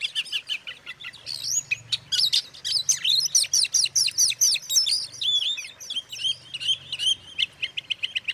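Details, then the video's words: Song of an Oriental magpie-robin, played to anger other magpie-robins; bright, quick-fire notes of mixed whistles and buzzy chirps, repeated around twice a second with a faint low hum behind. "suara kacer buat pancingan kacer lain emosi"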